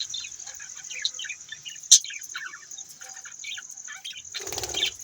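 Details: Budgerigars chattering: a busy run of short, scratchy chirps and warbles, with a steady high whine behind them, a sharp click near the middle and a burst of broad rustling noise near the end.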